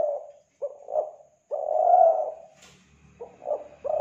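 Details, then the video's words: Kelantan spotted dove used to lure other doves: mellow, low cooing, with short notes followed by one longer swelling coo and a faint click. "Pancingan Suara Burung Tekukur Kelantan"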